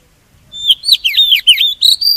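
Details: Oriental magpie-robin singing as a decoy to attract and trap birds or spur them to sing: a fast, varied string of looping, slurred whistles dipping and rising, closing on a steady high note.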